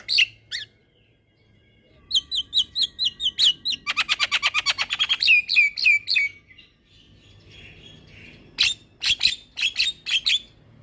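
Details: Black-winged myna in lively, full song, a long rolling stretch used as a master recording for training other mynas: whistled notes, then a fast rattling roll of rapid repeated clicks near four seconds, then sharp repeated chips.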